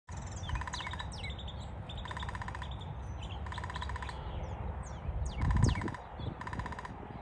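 A Downy Woodpecker drums in short, even rolls of rapid taps, each under a second long, about every two seconds. Other small birds chirp behind it, with low background rumble.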